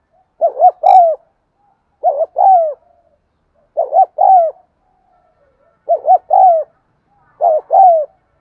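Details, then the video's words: Spotted dove cooing steadily, played to urge caged birds to coo. Five identical phrases come about every 1.8 seconds. Each is a clipped double hoot leading into a longer, gently falling coo. "tiếng cu thúc gù hay"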